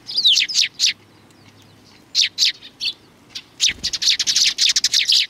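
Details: Several sparrows at a Tenmangu shrine on 3 July 2020 flock in to greet a visitor, giving bright, sharp chirps in quick bursts, with short pauses between the flurries.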